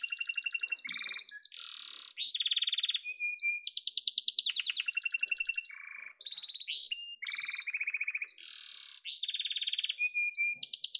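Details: A yellow domestic canary pours out continuous song, alternating piercing high rolls, pure whistled notes and lower chattering trills in quick succession, loud throughout.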